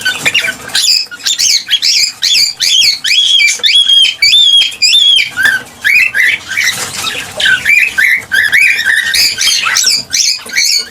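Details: Cockatiel song for prompting mating and breeding: pulsing bouts of bright, warbled whistles and squeaky chirps, each bout about a second long, repeating in quick succession with short breaks between.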